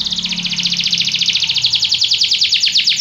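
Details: Belgian canary song for prompting other canaries to sing, a steady rapid trill of repeated pulsed notes, with a low hum in the background.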